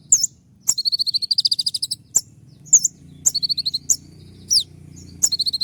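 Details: Konin, a moulting kept songbird singing as a training master: loud high chips alternate with rapid rattling runs of piping notes and a falling slurred whistle, with faint low rumble behind.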